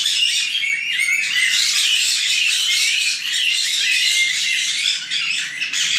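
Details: Shrill, continuous chatter from nine young white-bellied caiques in a breeding aviary near Dallas, Texas; overlapping high squeaks and short whistles form an unbroken wall of sound with a brief dip near the end.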